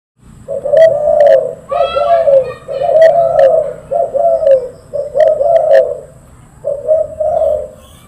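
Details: Spotted dove of the silver variety, a loud and eager caller, cooing almost nonstop. Deep, throaty, rolling coos in a run of phrases, each note about half a second long, with a brief pause before the last phrase, indoors with a low background hum.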